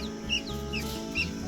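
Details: A newly hatched chukar chick, just out of an incubator, gives four thin, high peeps over a second and a half, some sliding downward, over a steady low incubator hum.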